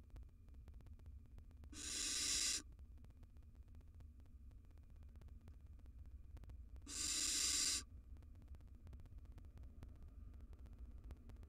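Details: Three wild barn owl chicks in their nest box utter two separate harsh, breathy hisses about five seconds apart, each close to a second long, with steady faint hum between them.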